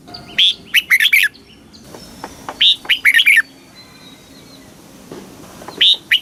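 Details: Red-whiskered bulbul in Thailand sings southern master-style phrases, a recording used to excite caged birds and teach young birds: three short bubbly, warbled phrases of quick whistled notes, each separated by pauses of about two seconds.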